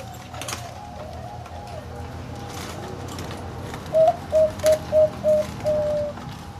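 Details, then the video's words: Big-voiced zebra dove calling after a quiet stretch of low murmur: five short, evenly spaced cooing notes, then a long level trill to close the phrase. "นกเขาชวาเสียงใหญ่ -น้ำสวยฟังเพลินๆ"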